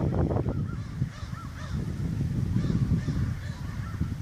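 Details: Sandhill cranes, first seen this season on 26 October 2014 in the bosque near the Rio Grande, Albuquerque, New Mexico, give overlapping rolling, trumpeting calls, several birds at once, over a heavy low rumble of wind or handling noise.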